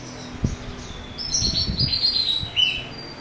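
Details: An orange-headed thrush sings loud, clear whistled phrases with harsh notes, a coarse filler song used as a lure to provoke other orange-headed thrushes into singing, sliding between high pitches over low thumps and background noise.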